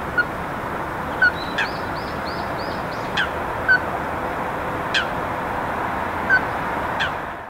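Ruddy-breasted crake giving sharp, hard knocking notes roughly every one and a half to two seconds, with thin high chirps from another bird over a steady background hiss.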